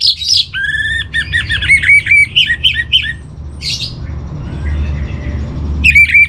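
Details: Orange-headed thrush master song used for training kept birds: bursts of varied whistled and harsh notes, each about half a second, with a pause before a final burst and a low hum beneath.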